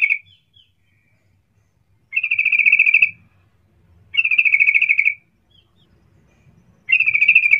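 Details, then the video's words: Bulbul lure call from a yellow-vented bulbul, intended to get others calling back fast: evenly pulsed buzzy chatter bursts, each about a second long, repeated roughly every two seconds in near silence. "Cuk cuk suara panggilan trucukan gacor ini ampuh untuk pancingan trucukan agar Bunyi cepat respon"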